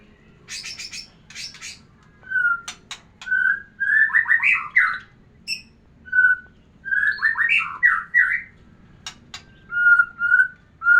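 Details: White-rumped shama singing to stir a female into breeding condition: pure whistled notes held near one pitch alternate with rich, rapid warbled phrases that rise and fall, separated by short pauses and sharp dry clicks.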